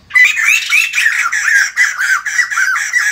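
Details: White-crested laughingthrush singing to greet the morning: a loud, harsh run of rapid chattering notes, each a rising and falling squawk, pouring out continuously with no other sounds.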